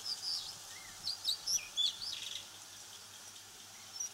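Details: Blue Rock Thrush, one of Japan's wild birds of farmland, grassland and waterside, gives a quick run of thin, high chirps and short squeaky notes, several each second, over a soft steady hiss.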